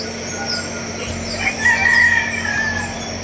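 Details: A rooster, one of many chickens roaming a forest, crows once in the distance, a drawn-out ringing call over a steady low hum.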